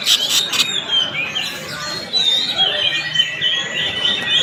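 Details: Greater green leafbird, a promising fighter-style bird, singing in a masteran tutoring recording: a continuous run of high, varied whistled phrases and thin rising notes, opening with harsh broadband rasping bursts.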